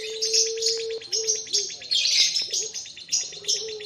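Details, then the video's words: Young Barbary doves of the puter pelung kind, calling after feeding. A steady low coo lasts about a second, followed by short dipping notes. A steady wash of rapid high chirps from other birds sits over them. "bikin rame sudah pada kenyang anakan puter pelung"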